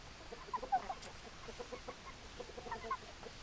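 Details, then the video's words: Several hens clucking with short sharp notes and soft chatter, spaced irregularly against steady low background noise. "Chicken Sounds Noises Hens Clucking Roosters Crowing"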